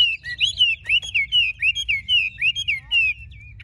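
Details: Chinese hwamei, a large bird from a Vietnamese dealer, repeats a clear looping whistle, roughly a dozen similar slurred notes in quick succession, fading at the end.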